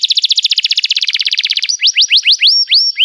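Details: Canary song meant to train young birds: a rapid high trill of even notes for almost two seconds, then slower rising whistled slurs repeated about three per second.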